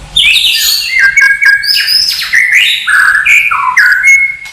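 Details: White-rumped shama song from a master recording used to train caged birds in the pastol style: rich, varied whistled phrases jumping between high and mid pitches, with sliding notes and short trills running continuously.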